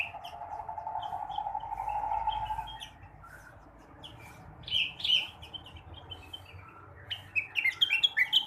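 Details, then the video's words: Blue-winged leafbird singing in the morning to stimulate other birds: after a quiet start with a droning hum, loud clustered chirps burst out, then a rapid, tumbling series of sharp twittering notes. "kicauan rengganis atau cucak wilis di pagi hari. cocok buat merangsang burung bahan"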